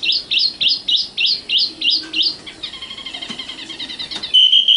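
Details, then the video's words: Common nightingale delivering a rapid string of looping, twisted high notes. They are followed by a faster, softer stuttering trill and close with a sustained pure high whistle. "kicau burung sikatan londo matal"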